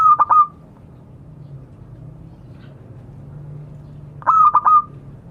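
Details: Local zebra dove calling to others, a lure recording: two bursts of stuttered, pulsed cooing notes about four seconds apart, each ending in a level hum, with quiet low background rumble between.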